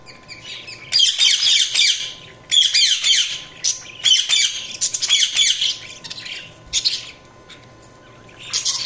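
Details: Budgies chirping in dense, scratchy high-pitched bursts lasting about a second each, separated by short pauses, with a faint steady hum underneath.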